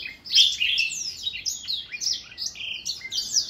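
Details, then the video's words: An older black-throat singing a fast, tumbling warble of bright, varied whistled and slurred phrases, high-pitched and continuous with no pauses. "Older Black-throat singing ~ 老黑喉燕歌唱"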